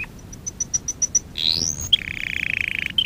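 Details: Canary song from a training lesson for young canaries: a run of evenly spaced high clipped notes, then a rising sweep, then a fast rapid trill held at steady pitch.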